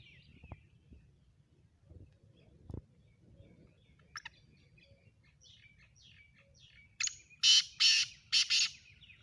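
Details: Faint small-bird chirps at first, then a black francolin bursts into a loud grating phrase of four rough notes near the end, delivered in the calling style used for chakri contests.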